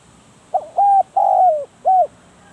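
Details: Close, clear decoy spotted dove giving a single hollow phrase. A quick soft note is followed by a flat coo, a longer coo bending downward, and a short rounded final coo, all low and mellow.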